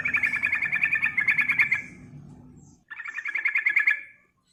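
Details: Yellow-vented bulbul song used as a lure to stimulate other birds: two bursts of rapid, bubbling chattering notes, the first about two seconds long, then a pause and a shorter second burst.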